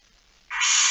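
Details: Barn owl in a nest box at night, September 2019: after quiet, a sudden loud rough hiss begins and holds steady until the end.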